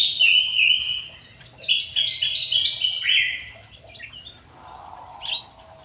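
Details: Aviary-kept white-rumped shama delivering a rich run of whistled, warbling phrases, high and sliding, loudest in the first three seconds, followed by softer notes and a brief final phrase.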